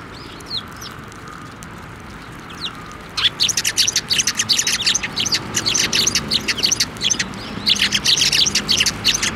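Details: Tenmangu shrine, 23 November 2023, sparrows flying up to a hand for food: near quiet for three seconds, then a sustained, busy chatter of many rapid, high overlapping chirps.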